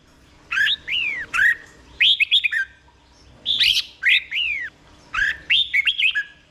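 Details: Red-whiskered bulbul kept caged in Thailand, song played slowly and clearly for young caged birds to copy; three bursts of warbled whistles, each with sliding downward notes and quick stuttered elements, separated by short pauses.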